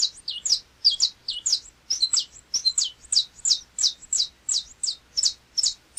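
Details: Saffron Finch (canário-da-terra) from Brazil: a steady string of high, sharp two-part chirps with slurred downward tails, repeated about every third of a second.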